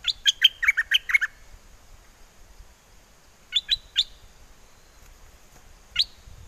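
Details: Bulbul in a cage at Chana, Songkhla, in windy southern Thailand, calling for a mate with forest-style song. It gives a quick run of liquid warbling notes, then a triple chirp, and later a single rising note.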